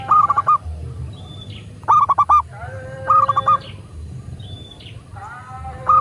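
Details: Local zebra dove cooing, used as a master recording to prompt caged doves to sing and respond quickly. Bursts of rapid, pulsed mid-pitched coo notes recur roughly every one to two seconds, with faint high whistles from another bird.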